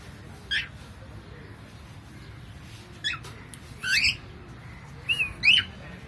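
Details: Pet cockatiel making funny sounds: four sharp, rising chirps spaced irregularly over a few seconds, the last ones paired and wavering, against a quiet room hum.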